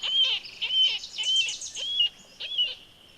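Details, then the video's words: Marbled Murrelet giving high, gull-like "keer" calls, about five sharp downslurred notes in quick series, recorded at Mount Rainier on the Carbon River side, where the bird can be confused with common nighthawk heard at the same time of day. "What you're kind of listening for, it's quite gull-like. It's kind of a keer."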